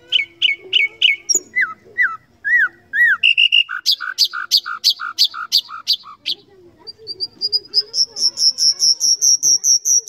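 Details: Varied nightingale song: repeated upward-flicking notes, slurred descending whistles, loud sharp snapping notes in a rapid series, ending in a long run of high thin pulses.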